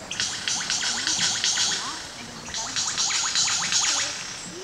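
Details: Lyrebird, an Australian mimic that delivers other birds' calls in quick succession, pours out a dense run of bright, rapid, high clicking and whistled notes in fast bursts over a faint low hum; presented as a courtship mating-dance call.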